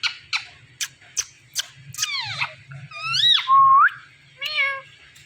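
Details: Talking Indian ring-necked parrot, a pet said to say mummy papa: sharp clicks, then descending squeaky notes, an arching whistle and an upswept tone, ending in a short voice-like syllable over a low hum.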